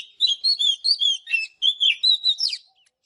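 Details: Morning song of an Oriental magpie-robin: a lively, unbroken sequence of clear whistled and warbled notes, each short and shifting up and down in pitch, roughly four per second.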